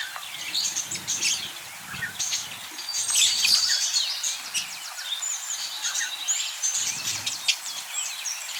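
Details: Caged pet budgerigar chattering: a continuous mix of high, scratchy warbles, chirps and squeaky notes, rising in intensity around the middle, with low background noise.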